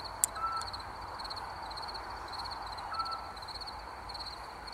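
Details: A Eurasian scops owl in woods at night gives two soft, pure whistled notes about two and a half seconds apart, over a steady pulsing chorus of crickets.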